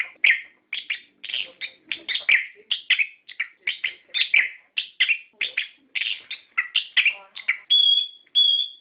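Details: Orange-headed thrush lure song to stimulate captive birds to sing: regular quick chirping phrases about twice a second, then two pure high whistles to close, nothing else audible.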